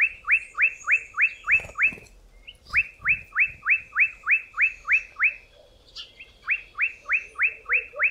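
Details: Olive Bushshrike, a southern African 'rainbird' said to call loudly before rain, singing fast runs of bright, rising whistled notes, about three per second, in bursts separated by brief pauses. Faint other birdsong behind.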